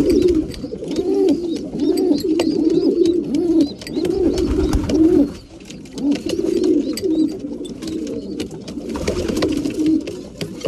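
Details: Many breeding pigeons calling at mealtime: overlapping deep throaty coos forming a steady murmur, briefly dipping mid-way, with scattered clicks and clatter above.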